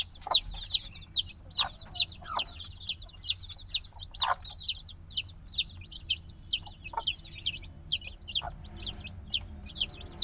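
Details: Noisy black chicks hatched a few days ago repeat sharp high peeps, each sliding downward, roughly two to three per second in a steady pulse, with occasional dull taps in the background.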